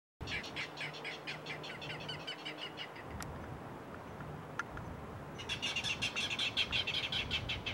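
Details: Clapper rails recorded on March 31, 2022 give harsh, rapid clattering series of kek notes, one bout fading out and another starting up loudly a few seconds later.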